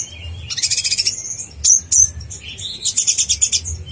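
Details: Sunbird known locally as konin blorok giving master song for contest training: a shimmering high trill, two loud sharp chirps, then another fast buzzy trill with rising notes beneath, over a faint low background hum.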